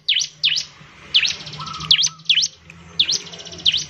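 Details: Bar-winged prinia calls used to prompt other birds to sing: loud V-shaped swooping chirps spaced roughly every half second to second, with a soft low whistle behind.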